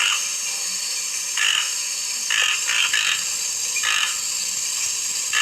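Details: Toco toucan giving short, harsh croaking bursts, about six in five seconds and unevenly spaced, some in quick pairs, over a constant high-pitched hiss in the background.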